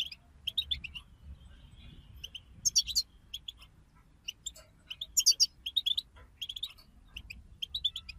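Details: Group goldfinch singing meant to rouse a silent pet goldfinch into song: scattered sharp tweets and short twittering runs, brief buzzy bursts, with faint low background hum.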